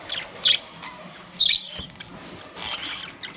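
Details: Two clear high chirps from budgerigars, about a second apart, followed by softer chattering, recorded on May 2, 2023.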